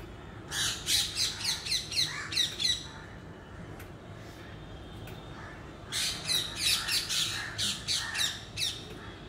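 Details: A parrot calling in two bouts of rapid, harsh, chattering squawks, each bout lasting about two seconds and separated by a quieter pause, over a steady background hiss.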